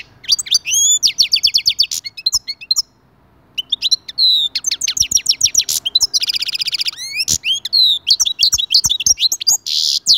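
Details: Singing European goldfinch, known locally as maqnin, used to prompt other goldfinches to sing: rapid tinkling twitters and repeated chirps, a brief silent gap, then a long buzzy nasal trill and further fast, varied high phrases.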